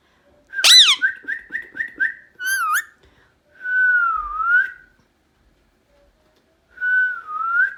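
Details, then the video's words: Whistling Indian ringneck parrot: one brief downward scream, a quick series of five short whistled notes, then long, smooth whistles that dip and rise again. "Loud Indian Ringneck parrot screaming and whistling"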